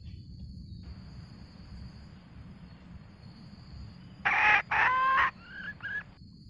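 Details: Male and female red junglefowl calling the flock, a lure recording for snare trapping: after several seconds of low hiss, a short run of loud harsh clucking calls with a few brief higher notes, ending quickly.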